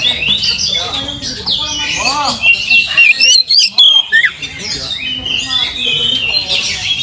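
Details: Oriental magpie-robin singing, used to provoke other birds to sing: a rich, continuous medley of sweet whistles, rapid chirps and down-slurred notes, with some lower arched notes midway.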